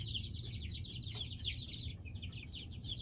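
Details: Several groups of chicks, hatched weeks apart, keep up a dense continuous peeping of high falling chirps, many birds overlapping, above a low background hum.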